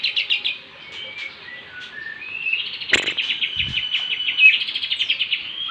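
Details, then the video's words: Trained lovebird from Bandung singing a song filled with imitated kapas tembak and jenggot phrases: rapid trilled chirp bursts, sharp whistled notes and a long rattling run of repeated high chips, with one loud click near the middle. "love bird isian kapas tembak dan jenggot"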